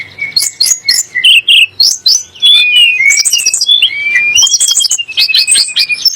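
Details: Song of a Sunda blue robin, used to provoke kacer and muri into singing: short buzzy bursts early, then long smooth whistled glides and trills flowing without a break.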